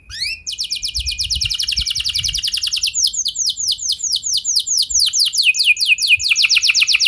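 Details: Canary singing a long roll as a lure for other canaries: a brief high note, a long fast trill of tight repeated sweeps, then slower looping downward notes and another quick trill.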